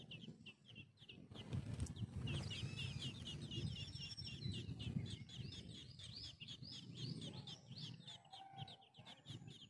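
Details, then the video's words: Tickell's (yellow-legged) thrush chicks in the nest give thin, high squeaky chirps in quick runs as the parents feed them, over a low rumbling, cluck-like background. "Yellow-Legged Thrush Bird feeding their babies"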